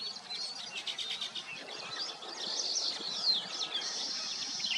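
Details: Nesting weavers twitter and chirp in a lively jumble of high notes, ending in a long, even buzzy hiss from one bird.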